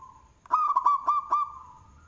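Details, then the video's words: Local zebra dove with a loud voice, singing (manggung), suitable as a lure: a single cooing phrase of about five rolling, stepped notes at a steady mid pitch, lasting under a second, with a faint steady tone behind. "Perkutut Lokal suara BESAR Manggung, Cocok untuk pancingan"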